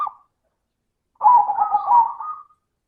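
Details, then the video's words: One long rolling phrase of rapid, throaty pulsed coos from a zebra dove with a crystal-clear voice, used as a lure to coax other doves into song, in clean silence. "Pancingan suara burung perkutut - suara kristal"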